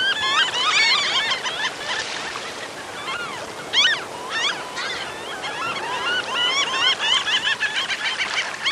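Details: A flock of Franklin's gulls in La Rioja, Argentina, calls without pause: overlapping nasal, yelping notes, many rising or bent, several each second, with no other sounds.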